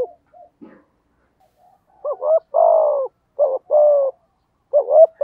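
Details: Spotted dove lure bird singing in the 'giọng thổ' voice style, used to draw in wild doves; after a quiet start, three phrases of two short clipped notes followed by a longer, burry, slightly falling coo.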